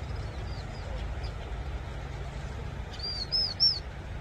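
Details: High thin whistles from a vinous-throated parrotbill: a couple of faint arched notes early on, then three louder rising-and-falling notes in quick succession at the end, with low hum beneath.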